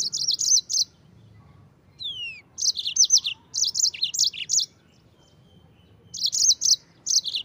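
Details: Yellow-fronted canary in lively 'gacor ngerol' song, recorded as tutor material for white-eyes: repeated clusters of high, rapid twittering phrases broken by pauses, plus a single down-slurred whistle early on and a quiet faint note below.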